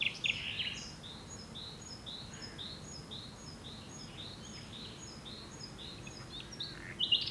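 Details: Common nightingale singing a series of clear, upslurred whistled notes repeated steadily, with sharper louder bursts at the start and end over a quiet background.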